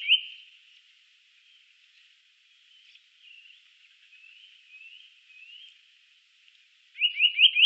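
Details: Eurasian nuthatch: faint, rising whistled notes drift in at a distance. A loud, rapid burst of four upslurred notes follows at the end.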